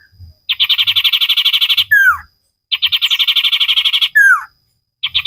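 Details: Common iora singing actively, a training recording for caged birds: two rapid, evenly pulsed rattling trills, each ending in a sweeping downslurred whistle, then a third trill begins.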